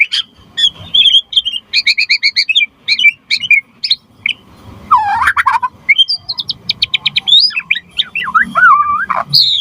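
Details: White-rumped shama in energetic full song, used to prompt other shamas into answering and as a tutor recording: a rapid medley of sharp chirps, stacked trills, swooping whistles and quick repeated notes, with short pauses between phrases.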